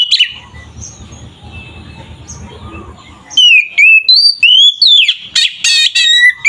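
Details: Oriental magpie-robin song used to agitate other kacer birds; a brief note, a quiet stretch with low hum, then a run of loud whistled phrases sliding down, repeated quickly.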